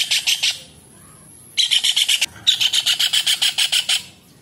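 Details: Kingfisher (raja udang, tengkek) in full voice, used to tutor songbirds such as white-rumped shama and orange-headed thrush. Three bursts of harsh, chattering notes repeat rapidly, the last a long series of about fourteen notes.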